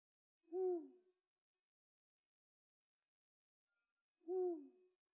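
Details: Eurasian eagle-owl (Bubo bubo), hoot.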